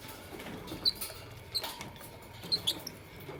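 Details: Morning chirping of Fischer's and masked lovebirds: short, thin, high-pitched chirps repeated irregularly, about four within a few seconds, over faint rustling and a low steady hum.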